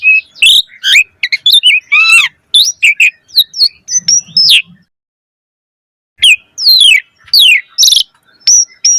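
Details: Asian pied starling song used as a lure to make starlings sing: varied whistled notes, rising and falling sweeps and buzzy rasps in rapid bursts, with a pause of over a second mid-phrase.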